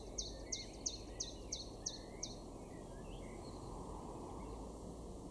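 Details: A Common Chiffchaff in a garden in Weener, East Frisia, northwest Germany, in May 2023, sings seven sharp, high, slightly falling notes, about three a second, over a steady low rumble and faint chirps from other birds.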